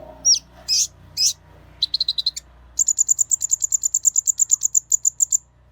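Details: Olive-backed sunbird (kolibri ninja) in lively lure song. Three loud sharp whistles, a short buzzy stutter, then a long steady series of about twenty quick high chipping notes.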